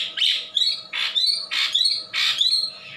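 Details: Wambi from Indonesia repeating a loud phrase four times in three seconds: a harsh burst followed by a clear rising whistle.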